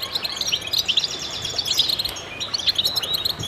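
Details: Group of goldfinches chirping and twittering together, bright rapid notes tumbling over one another in an unbroken, tinkling chorus over light hiss.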